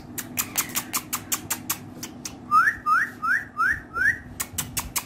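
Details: Ringneck parrot kept as a talking pet: a series of sharp clicks or taps, then five quick rising whistles, evenly spaced, and a few more clicks at the end.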